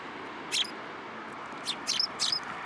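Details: Sparrows taking food from an outstretched hand at Tenmangu shrine, 12 December 2022: one high chirp, then a cluster of three or four shrill, slightly squeaky chirps.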